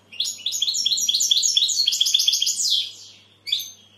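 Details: Fast sparkling goldfinch phrase of tightly packed twitters and buzzes for nearly three seconds, ending with a single short chirp.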